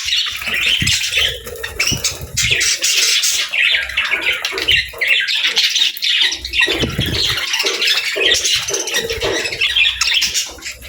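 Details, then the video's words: Chirping budgerigars described as happy birds, giving steady, dense, scratchy warbling chatter mixed with sharp squawks throughout, over faint low rumbling. "Budgie Chirping Sounds: Happy Birds"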